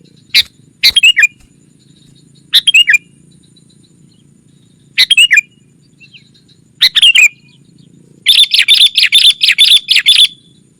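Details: Sooty-headed bulbul call played to attract wild rivals: scattered, sharp, bubbly phrases with falling tails, then a closing run of quick, bright repeated chirps.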